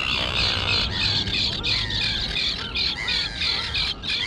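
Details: Colony of young terns on a grassy island, birds that have grown from fluffy chicks and learned to fly. Dense, continuous scratchy calling overlaps rapidly, roughly three calls a second, above a steady low rumble.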